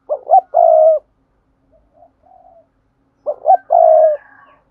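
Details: Thúc gù cooing of a spotted dove, used for daily training of newly caught doves: two phrases about three seconds apart, each with short rising hoots and a long steady coo, soft quieter coos between.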